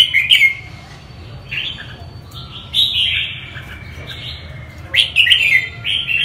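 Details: Red-whiskered bulbul, northern type, giving a brisk chirp, a few softer mid-length warbled notes, then a loud tumbling phrase near five seconds, with low background hum throughout.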